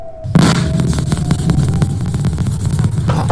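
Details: A sudden loud bang breaks a faint steady tone, then heavy low rumbling and crackling carry on to the end, with no animal voice.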